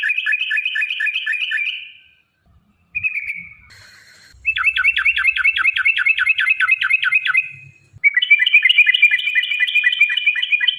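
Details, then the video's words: Yellow-vented bulbul in long 'ropel' song, used to lure caged birds into singing: bursts of rapid, buzzy, repeated notes separated by short chirps and brief pauses, with a faint low hum at times. "trucukan gacor TARUNG ROPEL PANJANG pancingan trucukan agar bunyi"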